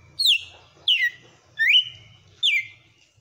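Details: Kept red-cowled cardinal in forceful açoite song: four loud ringing whistles, each dropping sharply then trailing off in a held tone, or one rising then steady, spaced about 0.7 seconds apart.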